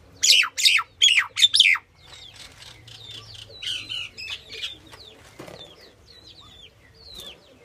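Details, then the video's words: Female common (Indian) myna calling: four loud, harsh, descending squawks in quick succession, followed by softer chattering, clicks and whistled notes. "The common myna (Female) | Indian myna calling"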